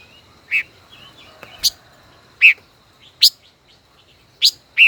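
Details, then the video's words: Decoy five-colored bird, caged over a year, singing against rivals: loud ringing chips roughly every second, some slurred downward, with faint twittering between. "Chim ngũ sắc hót đấu"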